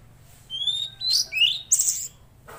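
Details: Tledekan Laut singing vigorously: a thin rising whistle, then a buzzy up-slurred note and a harsh high burst, all within two seconds.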